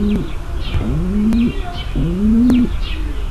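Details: Female pigeon giving her mating call to prepare the male: three smooth, low coos that swell upward and stop sharply, with light twittering in the distance.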